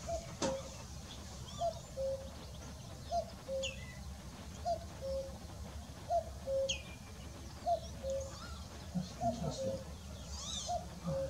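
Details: A common cuckoo at Sandwich Bay Reserve, Kent, UK, gives its falling two-note cu-coo about every second and a half, seven times, with low rumbling background and faint chirps of other birds.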